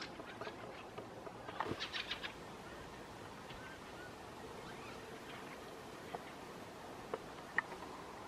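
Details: In late summer in Southern Ostrobothnia, Finland, a fieldfare gives a quick run of four or five harsh, dry chacking notes early on, then a couple of single clicks, over a steady airplane roar.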